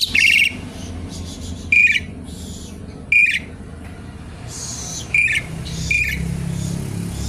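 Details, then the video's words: Asian pied starling song used to lure and to train other birds: five loud, rasping whistled bursts spaced one to one and a half seconds apart, with softer hissing noise between them and a low background hum. "jalak suren gacor pancingan tembakan penambah materi isian burung"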